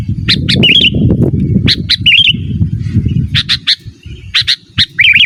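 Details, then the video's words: Sooty-headed bulbul singing actively, used as a lure for wild birds and a master recording for caged birds: sharp paired chirps and short bubbly warbled phrases in quick succession over a steady low rumble. "Suara Burung KUTILANG GACOR Asli Tanpa ISIAN"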